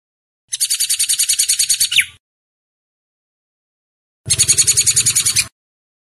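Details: A hair-crested drongo (Dicrurus hottentottus) gives two bursts of rapid, harsh, high chattering notes, about a dozen per second, with a low hum under the second burst; a tutor recording for song training.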